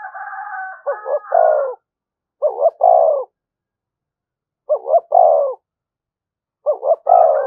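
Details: Spotted dove cooing to provoke other doves. A brief higher warbling note opens, then comes a steady series of phrases, each a quick double coo and a drawn-out rolling coo, recurring about every two seconds.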